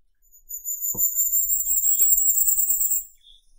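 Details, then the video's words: High, needle-thin Firecrest song: a fast-pulsing trill that holds and gently climbs for about two and a half seconds, with two faint clicks behind it and a soft lower note after it ends. "Как поёт Королёк красноголовый (Regulus ignicapillus)"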